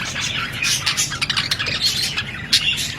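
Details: Budgerigar chirping: a busy, continuous stream of short, high chirps and scratchy warbled notes, with quick squeaky bursts throughout and a low room rumble underneath.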